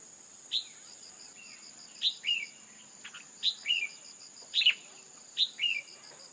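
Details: Female red-whiskered bulbul call, used to stimulate a male to sing: paired notes, a sharp high chip followed by a slurred falling note, repeated about every 1.4 seconds over a steady high electronic-like whine.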